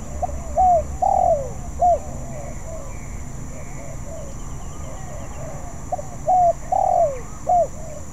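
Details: Young spotted dove practising song: repeated phrases of short coos and a longer coo, loud at the start and again near the end, with quieter cooing between and a steady high whine.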